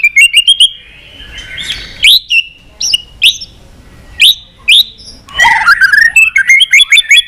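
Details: White-rumped shama in full varied song, a captive bird: clear whistled notes sliding upward, quick sharp chirps and rippling phrases in short bursts with brief pauses, ending in a dense rapid sequence of mixed whistles.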